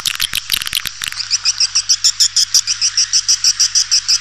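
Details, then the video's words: A swiftlet luring call for attracting birds. A quick cluster of sharp clicks and chirps gives way to a steady train of short, high, buzzy pulses, about three each second. "Suara burung walet panggil 7"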